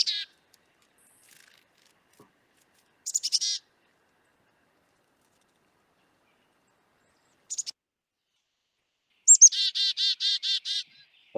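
Black-capped Chickadee giving its familiar chick-a-dee call: thin, high introductory notes, then a quick run of about eight hoarse, buzzy dee notes, with silence between bursts.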